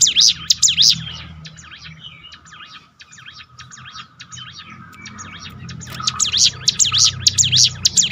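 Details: Bar-winged prinia song used for mental training: loud swooping high notes open the passage, fade into quieter, scratchier twittering in the middle, then the strong rapid sweeping notes return near the end.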